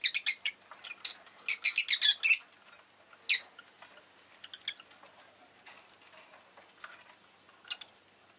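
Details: Rapid shrill chirping from a rosy-faced lovebird, fast stuttering series in the first two seconds, then isolated sharp notes trailing off more quietly.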